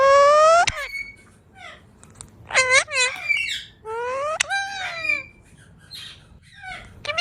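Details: Pet ringneck parrot, also called Alexander parrot, indoors in a small room: drawn-out harmonic squawks that rise then fall, separated by short bent chirps and quiet gaps.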